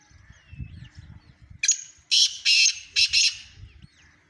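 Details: Harsh, scratchy call of a black francolin in Sindh, Pakistan: a grating run of about five rasping notes, mostly in pairs, after soft low rumbles and faint chirps from other birds.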